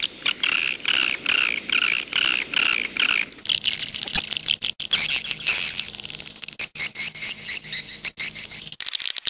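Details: Swiftlet sound in the jaguar style: seven evenly spaced harsh buzzy bursts, then a long run of high chattering and twittering that stops abruptly near the end.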